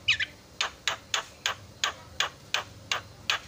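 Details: Javan myna song used to draw replies from rival mynas, made of sharp, dry, clicking notes repeated at a steady pace, roughly every third of a second, over faint background hum.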